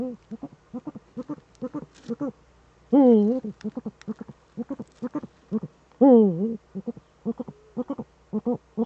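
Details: Eurasian eagle-owl pair in the Eifel, Germany, evening of 7 April 2013, male at the nest; rapid low double hoots run on steadily while two drawn-out, rasping, wavering calls stand out, about three seconds apart.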